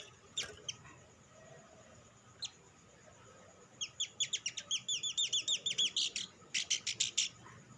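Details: Sunbird song meant to trigger other sunbirds to sing: a few isolated chips, then a fast rhythmic run of high, sharp repeated notes, roughly three per second, ending in a brief pause and a final burst.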